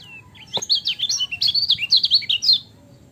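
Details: High, hurried twittering from a lemon-bellied white-eye, a dense two-second chain of quick rising and falling chirps after a soft opening whistle.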